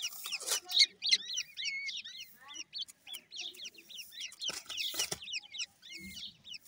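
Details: Grey francolin chicks, known locally as teetar, giving dense overlapping peeps. The thin, hooked chirps are rapid and uneven and come from several young birds, with occasional sharp clicks.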